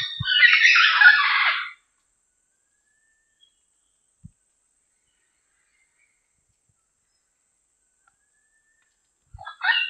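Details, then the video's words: A diademed amazon in the wild gives a harsh, raspy squawking burst of under two seconds, then a long quiet gap before another rough call starts near the end. "PAPAGAIO DIADEMA CANTANDO MUITO"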